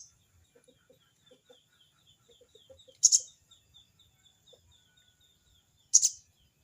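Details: Sogon bird in crecet cerecet mode, calling a rival: two harsh, very high, doubled chatter bursts three seconds apart, with soft low clucking notes and a steady insect trill in the background.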